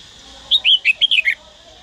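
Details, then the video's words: Dak Lak red-whiskered bulbul in Vietnam, trained to sing, delivers one quick burst of six bright whistled syllables, swooping up and down, within about a second against a steady low hiss. "Chào mào Daklak Hót giọng cực hay"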